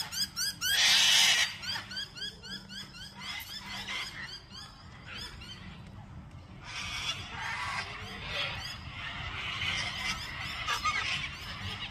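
Cockatoo giving harsh, raspy screeches in uneven bursts, the loudest early on, with rapid chirping from other birds throughout.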